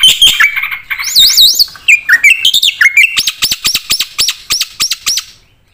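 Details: Varied 'full isian' song of a black-winged starling: mixed harsh notes and wavy looping whistles, followed by a regular series of sharp, upward-flicked notes that fade at the close.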